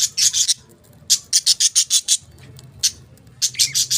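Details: Budgies chirping: bursts of sharp, high scratchy chirps in quick runs of three to six notes with short pauses, over a low steady hum.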